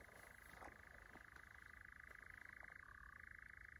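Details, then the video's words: European nightjars churring in Llanwonno Forest in 2022: a steady, unbroken mechanical purring trill holding one pitch, then dropping slightly lower near the end, with faint clicks and low background rumble. "Churring Nightjars"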